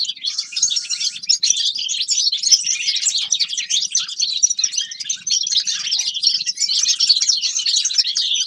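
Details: Forest birds in wintertime sing together in a loud, even mass of high chirps and trilled twitters that never pauses, with almost no other sound.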